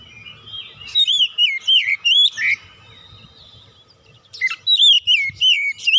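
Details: Lure song of an oriental magpie-robin for coaxing other birds into song: clear whistles that rise and fall in wavy slurs, a pause, then another bright burst of quick whistled notes.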